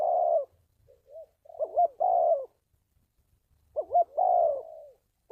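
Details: Spotted dove call used to train decoys and draw wild birds to traps; a long falling coo, soft short notes, then two phrases of a quick wavering double note and a drawn descending coo, separated by a silent pause.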